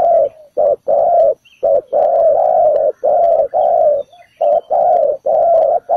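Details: Decoy spotted dove on the ground luring birds to a trap, cooing in a steady stream of deep, hollow notes, short notes alternating with longer drawn ones, almost continuous for six seconds.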